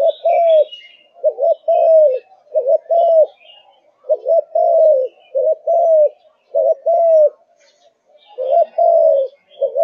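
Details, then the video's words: Malaysian spotted dove, a kept bird in peak singing condition, gives soft low cooing phrases: a clipped double coo followed by a drawn-out rounded note, repeated steadily with a few faint chirps in the background. "Cu Gáy Malaysia Căng Lửa, Chơi Từ Sáng Tới Tối"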